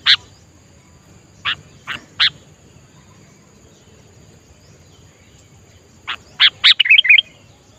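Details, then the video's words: A wild sooty-headed bulbul singing in nature gives short, bright whistled notes, a few spaced near the start, then a quick bubbly run near the end, over a thin, steady, high hum. "Melatih Kutilang agar Gacor Adalah Dengan Mendengar Langsung Suara Di Alam"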